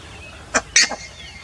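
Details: Buff-necked ibis giving a short metallic note followed by a louder double honk, against a quiet background.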